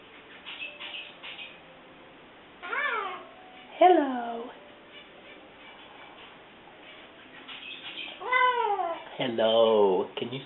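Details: A 7-month-old male pet Eclectus parrot, learning to talk, gives four drawn-out, nasal, rising-then-falling attempts at 'hello', like a croaky 'hello', while a person's quiet voice coaxes it.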